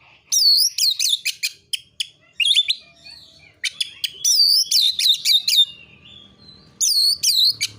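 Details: Oriental magpie-robin in full narung fighting song, aimed at provoking other birds to sing. Dense, loud volleys of down-swooping whistles mixed with harsh ticking notes repeat almost continuously, with short gaps.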